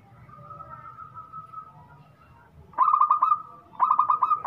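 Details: Zebra dove of local Indonesian stock, called a strong, loud singer, repeats a rapid rolling phrase of five or six bright coo notes twice, one second apart, after a quiet start with soft distant murmur.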